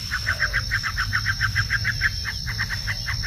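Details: Lively bar-winged prinia (ciblek) delivering a fast train of sharp, clipped notes, roughly three per second, briefly faltering near the end, with a constant shrill insect drone and low rumble behind.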